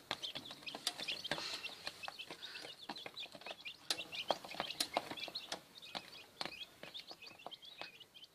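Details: Quail chicks just hatched in an incubator, a first brood, peeping continuously in thin high cheeps with frequent sharp taps and clicks among them.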